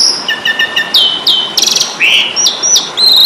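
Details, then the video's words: Fighting-mood Asian pied starling on a tutor recording: a quick run of sharp whistles, a harsh buzzy burst in the middle, then rising slurred whistles close together. "Masteran jalak suren ,pasti tarung"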